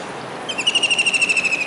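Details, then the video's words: Kingfisher calling while perched on a dish antenna atop a building in Surat, Gujarat, on a rainy July day in 2019. After a quiet start, a fast, even trill of sharp high notes runs steadily for about a second. "Kingfisher Bird's Voice"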